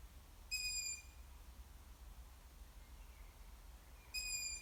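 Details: Juvenile long-eared owl: two high, thin, squeaking whistles about three and a half seconds apart, each steady and brief, with a faint distant squeak between them and low background rumble.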